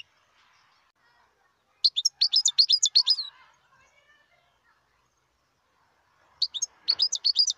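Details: Wild European goldfinch song in two bursts of rapid, high, jingling twitters about four seconds apart, with faint soft background chatter between them.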